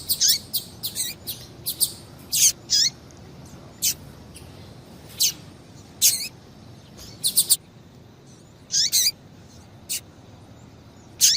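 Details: Excitement call of a female double-collared seedeater, used to make males sing: many high, sharp chip notes, single and in quick pairs or triplets, some with downward tails, scattered irregularly.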